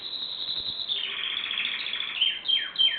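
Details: Canary song: a buzzy rolling trill opening into quick descending whistled slurs near the close.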